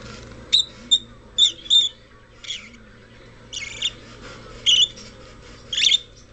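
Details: Rosy-faced lovebird in a Kobe pet shop making shrill, rasping chirps and squawks, some doubled, spaced irregularly, over a faint steady indoor hum.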